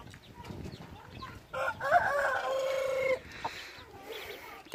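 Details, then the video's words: Decoy red junglefowl from Xaysomboun heard crowing at some distance, one drawn-out, slightly descending crow of about one and a half seconds over a noisy background with murmured speech. "ไก่ต่อดี เสียงดังชัด"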